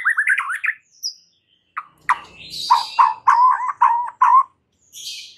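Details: White-rumped shama sound used as a lure to trigger song in stressed shamas: a quick warbled phrase, then a row of harsh, chattering notes repeated evenly, plus a few high squeaks.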